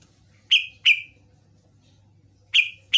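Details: Yellow-vented bulbul (trucukan) lure recording, used to prompt other birds to answer: four loud, sharp, bright chirps, two close together near the start and two more after a pause, over a faint low hum.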